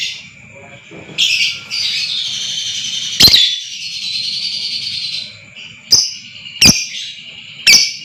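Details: Lovebird sound meant to make other lovebirds trill long (ngekek panjang): a sustained raspy, buzzy chattering stretch of about four seconds, then several abrupt sharp shrieks, with a constant high whine behind.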